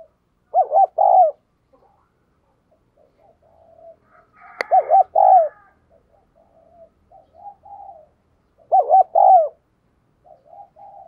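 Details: Decoy spotted dove calling to lure wild doves, in the prodding and calling coo styles: three bursts of low, mellow cooing, each a quick wavering double note and a longer falling coo, with faint softer coos between.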